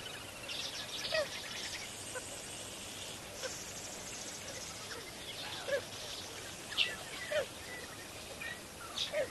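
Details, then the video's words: Lesser flamingos at Kamfers Dam near Kimberley, South Africa, recorded by a live camera: a chorus of short, nasal, honking calls rising and falling, several louder ones standing out every second or so over a constant colony murmur. "Lesser Flamingos at Kamfers Dam"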